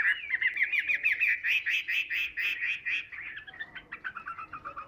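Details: Captive Chinese hwamei singing while held in the hand: a steady string of rich whistled notes, evenly repeated roughly twice a second, ending in faster, softer twittering.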